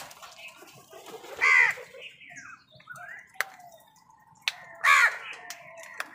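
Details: Two loud, rasping crow caws about three seconds apart, over faint chirps and clicks from other birds contesting food with the crows.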